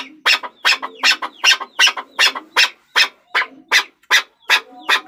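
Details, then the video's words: Chukar partridge producing a long, very regular series of grating chuk notes, some in close pairs, with faint lower murmurs underneath. "Chakor Ki Awaz || Chukar Partridge Sound"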